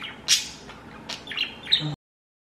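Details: Blue pet budgerigar giving a quick series of bright, scratchy chirps and short warbled notes over about two seconds, ending abruptly.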